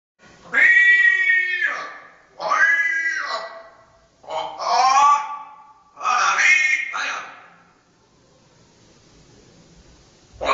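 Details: A Dutch-bred parrot hatched in 2010, noted for a very loud voice, gives four loud, drawn-out calls, each about a second long, harsh and nasal with a wavering pitch, followed by near silence in a small room.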